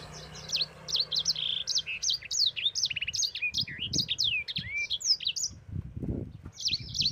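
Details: Caged yellow-fronted canary singing a fast, continuous rolling song of high, sharply slurred whistles and rising and falling chirps, kept as a tutor recording for other birds; dull low thumps underneath.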